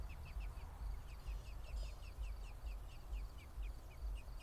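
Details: American robin male feeding its lone surviving chick garden insects at a nest in an apple tree, recorded by a mounted camera: a nestling's short high descending peeps repeat rapidly and steadily, over a constant low rumbling background.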